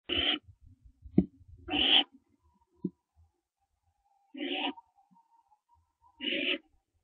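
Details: Barn owls at a nest on a live camera, 15 September 2011 at 4:07 AM, around an owlet's branching: harsh hissing screeches of about half a second, four in seven seconds, with faint background hum and knocks.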